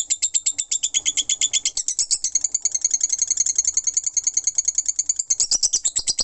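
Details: Continuous lovebird ngekek, shrill high chips strung tightly together, briefly speeding into a buzzy trill near the middle before returning to a fast pulsing chatter.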